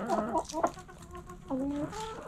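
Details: Backyard hens in the coop: a couple of short clucks followed by a longer, level, drawn-out nasal call, with more flock murmuring behind.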